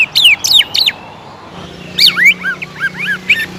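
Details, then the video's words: Greater green leafbird, a prolific singer, in a lure recording meant to rouse other leafbirds into agitated nonstop singing: bright whistled notes sliding downward in quick bursts, a pause, then varied looping, warbled phrases over a faint low hum. "PANCINGAN CUCAK IJO GACOR AGAR MAU EMOSI DAN NAIK MENTAL,LANGSUNG JAMTROK"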